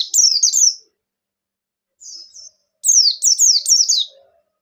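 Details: Bustomi white-eye giving energetic 'ngalas nembak' song meant to provoke other white-eyes to sing: a quick volley of shrill descending notes, a quiet thin phrase, then another loud string of four falling chirps.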